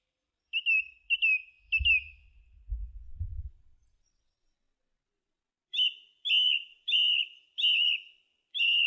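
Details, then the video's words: Song thrush repeats a clear whistled note three times, pauses while low thumping sounds occur, then repeats a similar note five more times in steady succession. "Song Thrush Singing"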